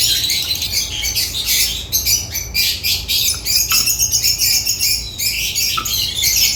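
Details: Shrill, rapid chirping and squawky chatter from African lovebirds, delivered in bursts with brief gaps, a low hum in the background.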